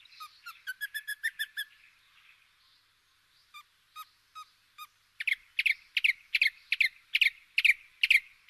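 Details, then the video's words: European robin singing: a quick run of thin, high ticking notes, a pause, a few spaced single notes, then a steady series of loud, sharp, bright notes repeated about twice a second, with no other sounds. "Птица малиновка. Пение"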